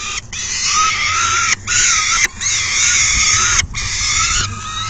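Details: Peregrine falcon at the nest during a full feeding on June 10, 2022, in the afternoon. Loud, harsh, strongly harmonic calls run almost without pause, broken by a few short silences.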